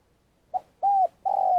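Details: Decoy spotted dove calling for trapping: a short opening note, an arched coo, then a long level coo, clear and close.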